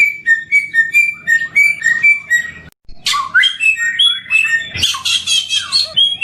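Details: Singing samyong bird, an endemic Indonesian species praised for its melodious voice. Short clear whistles repeat rapidly, cut off by a sudden pause, then come louder mixed chatter and harsh bursts with higher whistled notes woven in.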